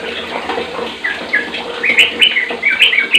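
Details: Sooty-headed bulbul (trucuk) song used to train other bulbuls to sing; bubbly, liquid whistled notes in quick rising and falling phrases, with a steady background hiss and low hum.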